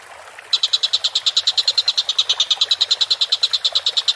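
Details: Collared kingfisher calling vigorously, used as a training recording for birds: after half a second of quiet hiss, a fast, regular series of sharp, dry notes begins and continues without pause.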